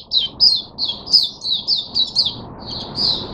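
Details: Oriental white-eye, caged and fed mixed drinking water, singing a quick series of high chirped notes, evenly spaced, ending with a short pause and two longer trilled notes.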